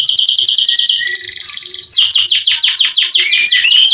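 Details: Canary with a long rolling song, meant to stimulate lazy canaries into singing; a high fast trill for a second, a steadier rattle, then loud descending sweeps repeated about three per second with upslurred whistles.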